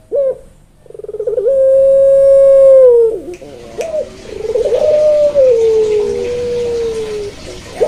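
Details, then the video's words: Barbary dove (puter), pelung or local variety, giving drawn-out level coos with a clean tone, one long sustained note then a wavering, slightly falling coo, separated by short sharp introductory notes. "PERBEDAAN SUARA PUTER PELUNG VS PUTER LOKAL"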